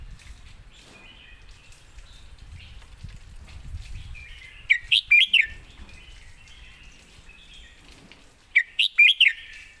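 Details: Red-whiskered bulbul giving a "master song": two short bursts of lively, warbled whistled notes about four seconds apart, with soft rustling and faint low background noise between them.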